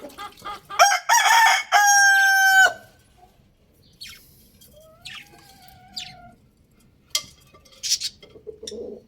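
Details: Loud crow from a young rooster, one of a pair crowing: a short rising opening swells into a sustained, rich, level note of nearly two seconds. Afterwards come quieter chirps, a soft drawn-out call and low clucking.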